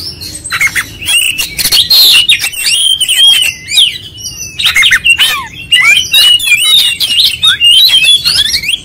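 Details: Oriental magpie-robin singing insistently through its full repertoire: rapid varied whistles, scratchy calls and sliding notes, loud phrases with short dips in between.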